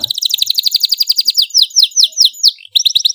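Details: Loud domestic canary song intended to teach young canaries: a dense rapid trill slowing into repeated falling slurred notes about three per second, a short gap, then a quick trill resumes.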